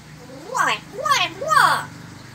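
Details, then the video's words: Late at night, a pet Nias hill myna imitates R2-D2's robotic voice: three swooping, warbling whistles, each rising then falling, about half a second apart, with a faint hum behind. "Parrot (Nias Hill Myna) Immitating R2-D2"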